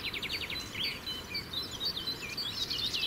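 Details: A territorial male melodious warbler sings on a morning from the top of a roadside bush in the Brenne, central France, giving a fast, chattering run of bright twittering notes, opening with a quick stuttered series and flowing into varied warbled phrases.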